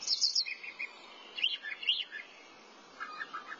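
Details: A thrasher sings a varied sequence: high squeaky notes, lower slurred chirps, then a pause and a few mid-pitched warbled phrases.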